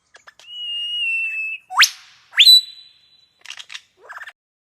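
A lyrebird mimics other sounds: a long, steady high whistle, two fast upward-sweeping whoops, then scratchy clicking bursts.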